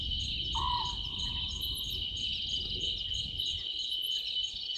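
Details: At night by Gowrie dam in the Sabi Sand, South Africa, on 11/12/2023, an owlet in a tree gives one short, low purred note early on, followed by steady cricket chorus and low rumbling background.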